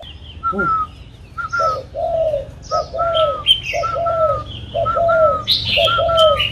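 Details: Trained spotted dove cooing: mellow low coos with a brighter whistled note above, repeated roughly once a second, with thin high chirps from other birds in the background.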